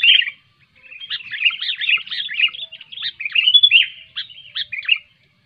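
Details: Sooty-headed bulbul, sung loudly to encourage quiet bulbuls: a short note, a pause, then a flowing run of warbled, chirping phrases that ends abruptly.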